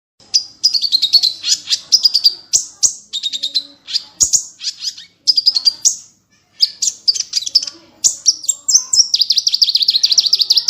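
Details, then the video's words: Small bird song from a masteran recording, described as full tembakan with rich variation: high, rapid trills and sharp chirps, buzzy rattles and whistled slurs packed in quick bursts with very short pauses. "MASTERAN BURUNG KECIL FULL TEMBAKAN VARIASI MEWAH"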